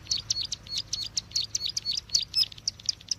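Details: Bar-winged prinia calls used as a trapping lure: quick, high, sharp chirps in uneven bursts, some with short twisting notes, over a faint low hum.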